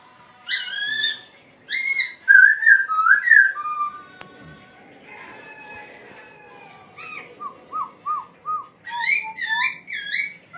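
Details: Dancing laughingthrush in song: loud whistled phrases with bursts of rapid trilled notes, a quieter warbling gap, then a steady series of short downslurred whistles repeated about twice a second, ending in richer, higher notes.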